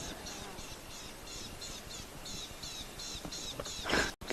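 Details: Rattling Cisticola alarm-calling at a lion on a sunset safari at Rietspruit Game Reserve, Lowveld, South Africa: harsh, buzzy chattering notes about three a second over hiss, ending in a brief louder scuffle.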